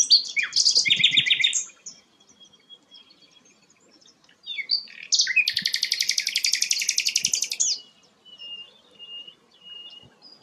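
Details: Flycatcher locally named sikatan londo, singing actively, used as a song tutor for white-rumped shamas. A burst of rapid notes is followed by a thin whistle, then a long, loud, evenly pulsed rattling trill lasting over two seconds.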